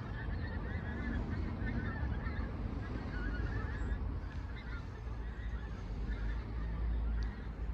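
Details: A flock of dozens of pink-footed geese passes overhead in Barnton. It keeps up a continuous chatter of short, yelping honks from many birds at once, over a heavy low background rumble.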